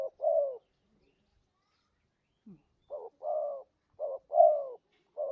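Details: Spotted dove lure sound for trapping: one falling coo, a two-second pause with a faint low note, then paired coos, each a short note and a longer sliding one.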